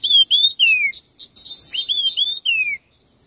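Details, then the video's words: Red-tailed minla singing in a song contest: a quick run of clear whistled notes, several sliding downward, broken by a dense, harsh, high burst of rapid notes mid-phrase, then more falling whistles. "Tiếng chim khướu lùn đuôi đỏ hót đấu kích nhanh căng lửa"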